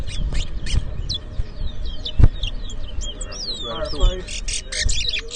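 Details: Towa towa finch competing in a whistling match, Edinburgh Village, Guyana, 2023: scattered high whistled slurs building to harsh, buzzy bursts near the end, mixed with talking and crowd noise.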